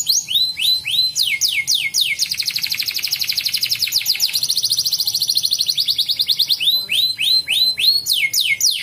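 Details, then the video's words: Canary sings a fast, bright song: sweeping whistled notes, then a long rapid trill of high, even pulses, then back to the sweeping whistles. "PANCING BURUNG KENARI BAHAN JADI RAJIN BUNYI"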